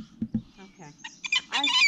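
A peregrine falcon gives harsh, grating calls: a few short, low scraping notes, then louder, rasping screeches that rise and run together at the end.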